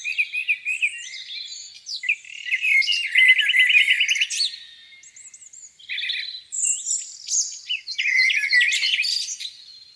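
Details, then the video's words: Birds singing in spring at a lakeside in the morning, in separate bursts with short pauses between them: scattered chirps, one fast bright trill in the middle, then warbled phrases. "Singing birds, beautiful lake view on a spring morning."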